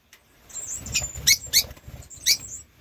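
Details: Rosy-faced lovebirds (Agapornis roseicollis), a pair with four 8-week-old young, recorded in 2024: three sharp, shrill squawks in quick succession over faint high chirps and soft rustling.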